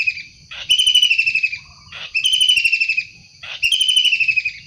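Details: Long-tailed shrike from the wild, calling in three harsh grating bursts about a second and a half apart, each a fast stuttering rasp drooping slightly in pitch.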